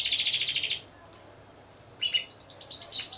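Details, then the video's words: Timbrado Español canaries competing as a team of four in a November 2015 singing show: a dense high trill stops abruptly, a second of quiet follows, then singing resumes with a rapid rolling trill and a clear rising whistle. "Έκθεση Καναρινιών Φωνής Timbrado Español"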